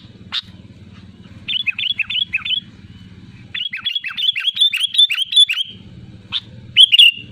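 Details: Loud, lively sooty-headed bulbul calling to challenge rivals. After a sharp opening note comes a quick run of bubbly, slurred, downward notes, then a longer chattering string. A bright final phrase ends it over a low hum.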